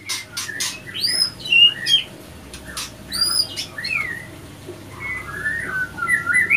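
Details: White-rumped shamas, a male and female clashing after a failed pairing; scattered whistled slurs and chirps mixed with sharp clicks and wing-like rustles, with quieter stretches between bursts.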